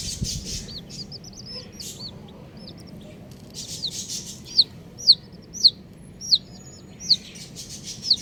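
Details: Colourful baby chickens peeping: soft arched chirps from several chicks at first, then loud, sharp, downward-slurred peeps repeated roughly every half second to second, over a low steady background hum.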